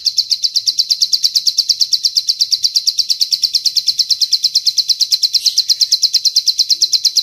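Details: Bar-winged prinia song used as a master for teaching birds cililin phrases; a sharp, very regular high trill of quick pulses, roughly three per second, continuing throughout, briefly stronger toward the end, on a quiet background.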